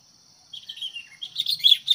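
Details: Sooty-headed bulbul used as a fighting decoy for wild birds: a short slurred whistle followed by a rapid flurry of bright chirps, with a high insect drone behind.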